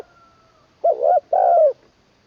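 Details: Caged spotted dove being trained as a decoy in Isan, northeast Thailand, third session. Its song style is described as ending on a low kuk note with a full middle voice. A faint whistle-like tone is followed by two mellow, rolling coos in quick succession.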